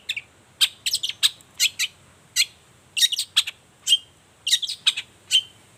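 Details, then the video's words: Long-tailed shrike in full morning song as a lure for other shrikes: sharp, ringing chip notes, some doubled, given in irregular groups with short silences, over a clean background. "Suara cendet gacor Pagi Hari pancingan jitu BIKIN cendet diam langsung nyaut ikutan bunyi"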